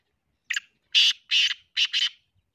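A Black francolin gives a harsh, grating phrase of five rasping notes: one short lead-in, then two long notes and a quick closing pair, over about two seconds.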